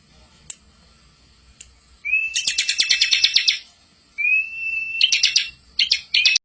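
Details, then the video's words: A Bar-winged Prinia sings high, bright bursts: a thin rising whistle, then a fast rattling trill of sharp notes, repeated in two phrases with a short pause. "masteran ciblek super gacor full isian ngerol"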